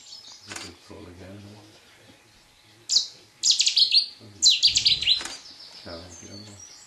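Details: A showy Cetti's warbler sings near the bittern hide at RSPB Minsmere on 3 June 2011: sudden loud explosive bursts of rapid, high, repeated notes, two strong phrases after a quieter start, with soft low sounds beneath.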